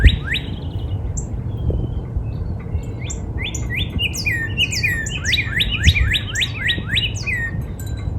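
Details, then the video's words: Backyard northern cardinal in spring, opening with one slurred whistle, then scattered faint notes before a lively burst of sweeping whistles in the second half, over a constant low rumble. "Real Natural Spring Cardinal Bird Sound"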